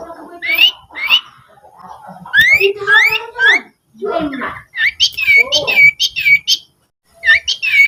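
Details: Rufous-fronted laughingthrush, known locally as sirtu, in a master recording for training cage birds: a varied run of chattering squawks, rising and falling whistled notes and harsh slurred phrases, with short pauses between bursts.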